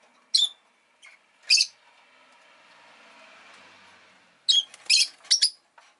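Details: Pet rosy-faced lovebird chirping in irregular bursts: two sharp high squeaks, a pause with faint background hum, then a rapid cluster of four or five shrill, harsh chirps.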